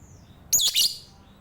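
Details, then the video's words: Lovebird chattering in the morning: one brief burst of high, scratchy chirps lasting about half a second over a quiet background. "Ngerumpi pagi love bird"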